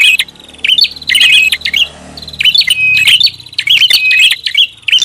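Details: Noisy prinia lure call of paired bursts. Each burst combines a clicky chatter with a flat, clear whistle, repeated about every second. A faint low hum and room noise lie between the bursts.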